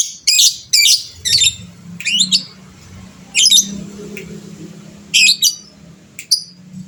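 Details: Fighter lovebird, gacor type, played to make other birds respond: loud harsh squawks and squeaky bursts in short clusters, spaced unevenly with quiet gaps between.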